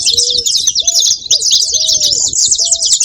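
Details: Dense, high, scratchy chirping of saffron finches, with clear flat lower whistles repeated and some low rustling background noise.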